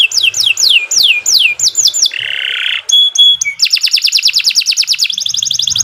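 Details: Canary lure song for training birds: repeated descending whistled swoops, a harsh buzzy burst, sharp pure whistles, then long rapid trills of repeated notes.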